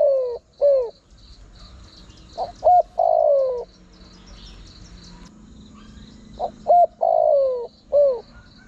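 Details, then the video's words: Spotted dove used as a lure to attract wild birds: two falling coos, then repeated phrases of short clipped notes, a long descending croon and a final dropping coo, mellow and low, with a faint steady buzz behind. "Chim cu gáy gọi hay kích bổi nhanh nổi"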